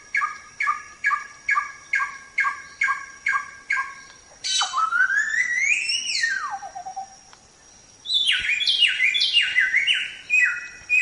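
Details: Samyong tembak song, a training recording for songbirds: evenly spaced short double-pitched notes, then a long slurred whistle rising and falling, a pause, and a rapid cluster of high stepped notes.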